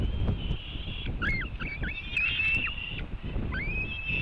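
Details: White-tailed eagle at a nest webcam in Latvia, July afternoon, one eagle stealing part of a fish from another, gives thin, high yelping notes in short bursts with one rising whistle, over wind rumble and faint whine.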